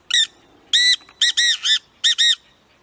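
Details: A black francolin (Francolinus francolinus) gives a loud, harsh, grating call of several nasal, squawky notes in a jerky rhythm, with a short gap before the final pair; nothing else competes.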